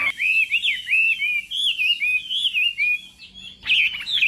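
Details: Chinese hwamei, morning contest singing: a continuous run of loud, rich whistled notes, looping up and down, phrases with short pauses, then a sharper higher burst near the end.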